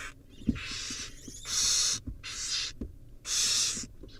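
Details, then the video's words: Tug-of-war between barn owl nestlings, with several drawn-out breathy screeches in quick succession, about four bursts, alongside thumps and scuffling of the young birds moving. "barn owl nestling tug a war"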